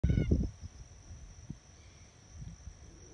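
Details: An Australian bustard, recorded from a distance, gives one deep, gruff lion-like roar in the first half-second, then quiet low rumbles and a steady thin high whine. Australian bustard.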